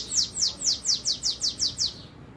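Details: A bananaquit (cambacica) sings on Wednesday 13 March around 7:17, a thin, very high run of eight quick downslurred notes, about four per second, over a quiet background.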